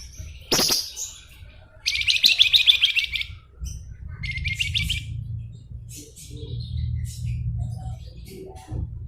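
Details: Flamboyan in full gacor song: a sharp opening note, then a long burst of fast, rattling high chatter, a second shorter chattering run, and faint chirps over rumbling low noise.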